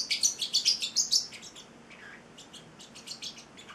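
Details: Young male Celestial parrotlet, aged eight weeks and kept as a pet, opens with a rapid, rhythmic series of loud, high chirps, roughly eight in a second, then continues with quieter twitters.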